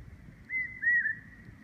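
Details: Large hawk-cuckoo calling in April 2016: a clear, shrill whistled call, a single drawn-out note with a slight dip midway, over a soft low rumble.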